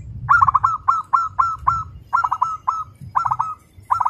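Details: Local zebra dove, a contest prospect, singing fast and dense like a sewing machine: rapid runs of three or four quick bouncing coos, each run ending in a longer drawn note, repeated steadily with soft low hum behind.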